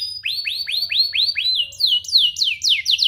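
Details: Domestic canary song for teaching young canaries and prompting them to sing: a steady series of up-slurred whistles, about five per second, giving way to higher downward-sweeping slurs.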